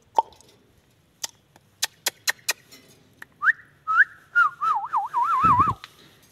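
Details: Indian ringneck parakeet: sharp clicks, then rising whistles and a long wavering, warbled whistle with a low rough burst near the end.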